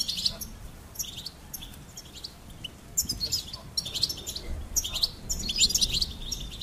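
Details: Bursts of high goldfinch twittering come roughly every second after a quieter opening, each burst a tight cluster of chirps.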